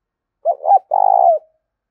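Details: Spotted dove coo, used to stimulate cooing and train a decoy bird. Two brief soft notes lead into a sustained, quavering coo that drops slightly as it ends, with a clean, quiet background.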